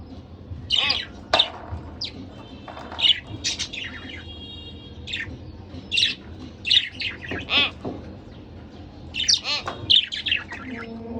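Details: A pet pair of budgerigars chirping: short bright harmonic chirps and squawky notes in loose bursts, some warbled, with a faint low indoor hum beneath.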